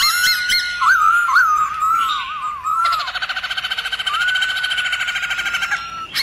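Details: Many-voiced forest song of a black-throated laughingthrush, intended to fire up other laughingthrushes; looping whistles and a wobbling trill, then steady rapid pulsed chattering under a long level whistle.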